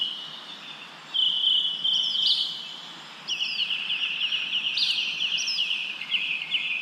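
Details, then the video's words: Chirping bird with wind blowing through leaves; long, steady high buzzy trills broken by brief rising flicks, pausing for a moment midway, with a constant rustling wind hiss underneath. "Wind blows leaves, leaves bird chirping sound"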